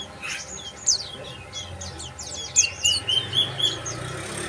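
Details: Bar-winged prinia uttering a few high, sharp chirps, then a quick run of steep downslurred notes followed by short flat whistles, repeated several times per second.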